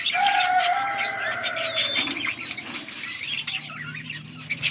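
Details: Budgies chirping together, dated August 15, 2024: dense high chatter of quick chirps and warbles, with a steady mid-pitched whistled tone running through the first two seconds and a low hum underneath.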